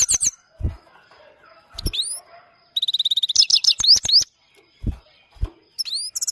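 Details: Himalayan goldfinch, locally called Maike, singing: bursts of high, fast twittering and rising slurred notes, a rapid rolling trill in the middle, with low thumps between phrases.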